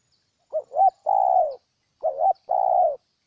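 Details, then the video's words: Spotted dove, Ninh Thuận, Vietnam, repeating its phrase twice: a quick wavering double hoot followed at once by a long, mellow, slightly descending coo, roughly every one and a half seconds. "Cu Gáy Ninh Thuận"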